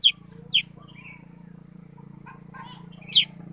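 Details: Sooty-headed bulbul (kutilang sutra) giving three sharp descending chirps spread over a few seconds, with soft lower twitters and a low background hum.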